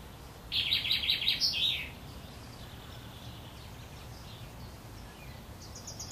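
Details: Young wrens at their nest, Worthington Lake near Standish, Wigan, as the mother brings food: a brief burst of rapid, shrill chirping lasting over a second, then quiet hiss and a faint high trill near the end.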